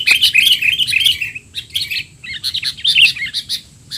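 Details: Rowdy 'teler' chatter of a sooty-headed bulbul for training young birds: a loud, continuous twittering burst opens, followed by a short lull and renewed groups of sharp chirps.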